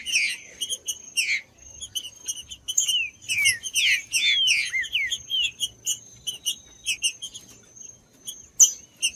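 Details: Green-winged saltator song for warming up other saltators: a dense cluster of descending slurred whistles early, then sparser clipped chirps, over a continuous high-pitched whine.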